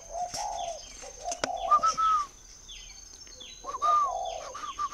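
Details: Spotted dove at a dove-keeping farm in Ba Vì, Hanoi, northern Vietnam: low coos and a rising whistled note, while many small birds chirp with quick, descending tweets in the background.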